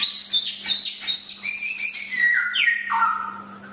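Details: Chinese hwamei (samyong) singing for a tutor recording: a rich, fast flow of varied whistled notes stepping steadily downward, ending in lower, longer slurred whistles, with a faint constant electrical hum beneath.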